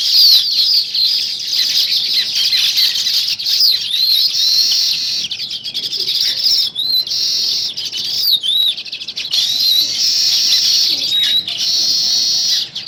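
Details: Sparrows chirping in the morning beside weaver birds building a nest: a dense, continuous chatter of high, sharp chirps and twitters with short rising and falling notes, many birds calling at once.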